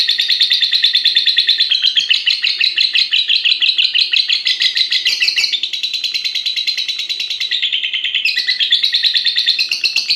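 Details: An extended chattering song from a caged fighter lovebird aged six and a half months, bred for lengthy contest singing. A continuous high trill of quick pulses briefly dips, then resumes with a sharp rising note near the end.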